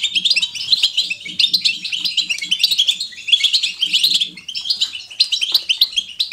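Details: European goldfinch giving natural, lively batbata twittering, chosen to encourage other goldfinches to sing; dense run of fast, bright, tinkling chirps and trills, nearly continuous with brief dips, faint low murmurs beneath.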